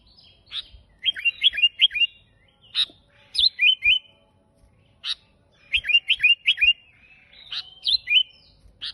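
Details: Vigorous, strange-sounding sooty-headed bulbul song used as a lure and tutor for other bulbuls: sharp single notes alternating with quick runs of four or five liquid, falling whistles, repeated several times.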